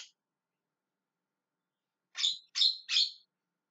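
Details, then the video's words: Javan myna calling: after a brief note and two seconds of silence come three loud, harsh squawks in quick succession, each rough and rasping. "JALAK KEBO TERIAK TERIAK MEMANGGIL"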